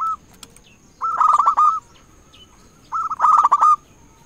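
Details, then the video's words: Local zebra dove challenging rivals with its call, used to lure and stir up other doves; two stuttering, purring coo phrases about two seconds apart, each ending in a drawn-out roll. "Perkutut lokal gacor RAJA PIKAT memanggil lawan"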